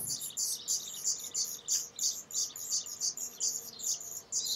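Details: Close observation of a black redstart: a continuous stream of scratchy, raspy high notes repeated roughly three times a second, fairly even in loudness throughout.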